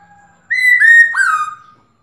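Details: Black-throated laughingthrush (Pterorhynchus chinensis) female calling to the male to prompt him to sing: one clear, nasal whistled call of about a second, two level notes then a dip and falling slur.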